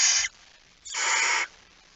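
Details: Barn owl, a male arriving with a mouse at 23:55 on 17 September 2019: a harsh, broadband hissing burst at the start, then a longer rasping hiss of about half a second after a short pause.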